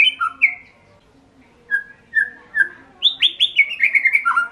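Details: Indonesian hobby white-rumped shama song: a few whistled notes, a pause, single downslurred whistles spaced apart, then a quick rising flourish of repeated bright notes.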